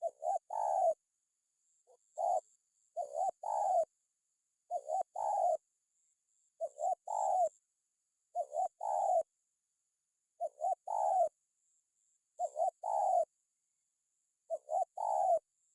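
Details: Spotted dove calling to intimidate a rival: low, soft, hollow coos delivered in short bursts of two or three notes, the bursts recurring irregularly every one to two seconds, with a faint high hiss in the background.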